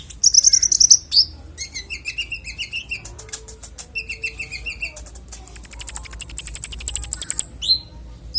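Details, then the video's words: Konin song with a clear voice used as master training audio for songbirds: high varied phrases, a thin whistled note, scratchy chattering bursts and a long fast, even trill of sharp ticking notes near the end. "Konin bongkar isian suara jernih"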